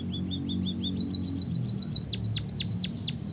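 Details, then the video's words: Canary-style rolling song from a white-headed munia. Short, even high chips give way to quick ticking notes, then to longer whistles that swoop sharply downward, all delivered in rapid succession over a faint low hum. "burung pipit bondol haji gacor suara ngeroll isian kenari"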